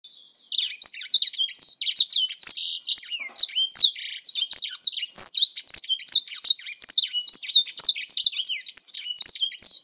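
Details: Grey singer kept for about four months, singing a fast, continuous twittering song of high, sliding whistles and short trilled notes, phrases packed closely with barely a pause across the whole stretch.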